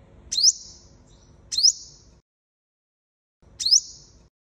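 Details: Sunbird (five-coloured sunbird) call used as a lure for trapping: three thin, very high chirps, each a sharp falling sweep with a short trailing tone, spaced about one to two seconds apart, with faint low rumble beneath.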